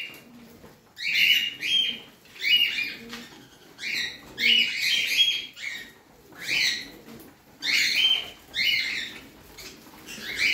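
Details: Pet parrot repeating short, buzzy chirps in regular bursts about once a second, each with a sharp whistled tip, over a faint background hum.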